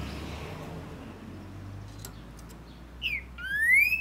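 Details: Green-winged Saltator (trinca-ferro), a Brazilian songbird, sings in breeding and tournament season: a short clear note, then a long rich whistle slurring upward, after nearly three seconds of low background hum.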